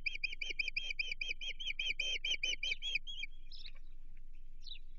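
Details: Osprey at a Chesapeake nest, 15 June 2023, agitated by an intruder: three seconds of quick, repeated piercing chirps, then two thin, higher squeaky notes; low hum throughout.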